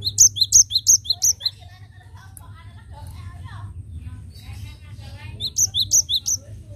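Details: Cinereous tit song played as a lure: a loud run of high, bright repeated notes opens, then faint chatter and twitters, then another series of sharp high notes, all over a constant low hum.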